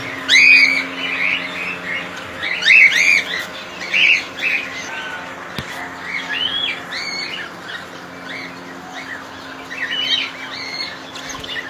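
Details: Several cockatiels in a colony squawk and chirp, harsh rising calls coming in irregular clusters about every two seconds, with a steady low hum beneath.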